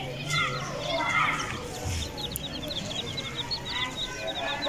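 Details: Aseel chicks peeping: rapid, high, short downslurred cheeps repeated in a steady stream, after voices and a brief louder call at the start.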